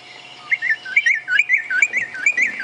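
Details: White-browed robin-chat call played back as a recording during an afternoon safari drive, a favourite bird call rarely heard locally: a rapid run of rich, rolling whistled notes that rise and dip, quickening and louder, over a faint low hum.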